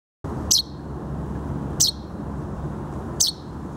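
A chaffinch chick gives three short, high, thin calls, each slurring downward, spaced about every one and a half seconds over a steady low rumble.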